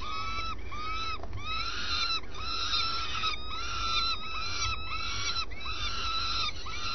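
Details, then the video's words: Early-morning swift at its nest, uttering a chain of wheezy, nasal, arched calls about every half second, with a brief click near the start and a constant low hum. "Desayuno con vencejos"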